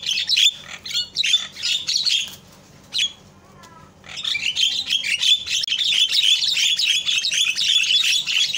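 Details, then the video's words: Javan myna giving harsh, scratchy chatter in rapid bursts, broken by short pauses, then a long run of grating notes; used to provoke silent mynas into calling back. "SUARA INI MAMPU BIKIN JALAK LAIN PADA TERIAK"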